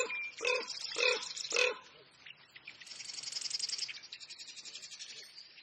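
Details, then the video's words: Common raven in spring in Eastern Oregon wetlands; three hoarse croaking calls about half a second apart, followed by a long rasping, buzzy chatter, over quiet background. "Raven (Corvus Corax) Call"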